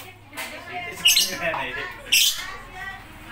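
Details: Lovebird uttering two piercing, scratchy squawks about a second apart, with people talking softly behind.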